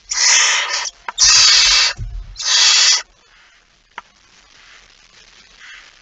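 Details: At a nest with prey on 23 September 2019, just past midnight, a barn owl gives three loud, raspy, breathy screeches in quick succession, followed by near silence with a single soft click.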